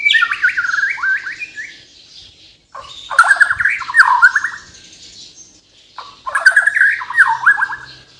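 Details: Borneo white-rumped shama, a Kalimantan bird, singing 'full isian' song: three loud phrases of stuttering, chattering descending notes separated by pauses of about a second, with faint low hum.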